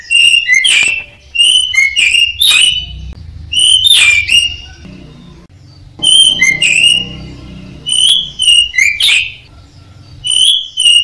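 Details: Training recording of a caged orange-headed thrush: repeated whistled phrases of rising and falling notes, each roughly a second long, over a faint low hum.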